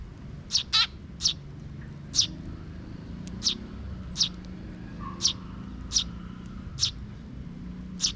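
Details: Short, high, piercing chirps from a young sparrow chick trailing a parent bird in a park in June 2023, given about once per second over low background rumble.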